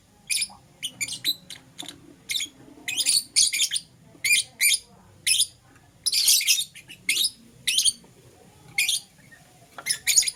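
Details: Lovebirds of the Euwing green opaline and lutino varieties calling in the morning, a steady run of loud, shrill chirps and brief rasping squawks, several each second, with a few short pauses.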